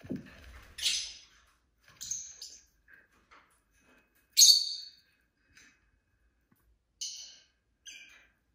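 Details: Indoor pet lovebirds chirping in scattered, shrill, scratchy bursts, six or so short calls over eight seconds, one loud harsh note near the middle, with silence between.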